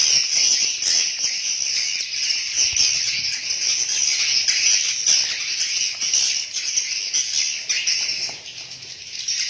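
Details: Dense high twittering from many swiftlets inside a swiftlet house, overlapping chirps pulsing in small bursts, fading slightly toward the end before rising again.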